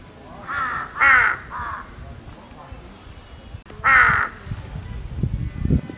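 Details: Crow calls played to attract crows: harsh, hoarse caws, three in quick succession within the first two seconds, then a single louder caw near four seconds, over a steady high hiss, with low rumbling thumps toward the end.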